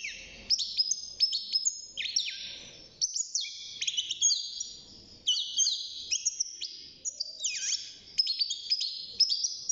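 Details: Juvenile European goldfinch kept in a cage, singing for the first time at six months, gives energetic twittering song of sharp downslurred whistles and buzzy trills in repeated bursts.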